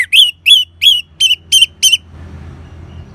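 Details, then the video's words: Orange-headed thrush, ngeban song used to stimulate caged birds to sing: six clear whistled notes, each bending downward, evenly spaced about three per second, then quiet with low hum. "Suara Ngeban Untuk Pancingan ANIS MERAH"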